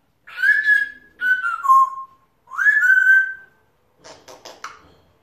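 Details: African grey parrot kept as a pet, a male talking to himself, gives three pure whistled phrases, each rising then holding or dropping in pitch, followed by a few quick clicking sounds.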